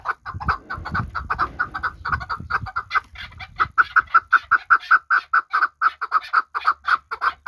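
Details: From Qabodiyon, a chukar partridge kept for hunting calls in a long series of evenly spaced chuck notes; low rumbling handling noise fills the first seconds, then the calls ring clearly.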